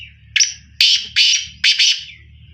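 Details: Black francolin calling: a harsh, grating phrase of four loud buzzy notes, the first rising and the later ones paired, over a low background hum.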